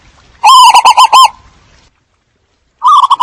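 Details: Zebra dove lure call used to attract the flock, with cooing: a loud burst of rapid, rolling, pulsed notes at a steady mid pitch, then a pause and a second burst of the same quick staccato cooing.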